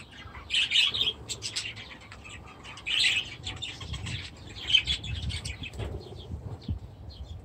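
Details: Budgerigars in an aviary alongside new chicks utter three brief bright chirp clusters spaced about two seconds apart, with soft scratchy twittering and low rumbling background noise between them.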